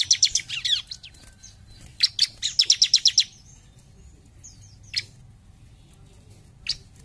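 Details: Bar-winged prinia singing vigorously in the style called jump shoot: fast bursts of sharp, high chirps repeated in quick rows, then a pause with scattered single high notes and a low background hum.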